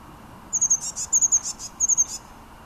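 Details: A blue tit sings in Münchenstein, Switzerland, in January 2013: very high, thin notes, each run of two or three pips ending in a short buzzy trill, repeated three times in quick succession.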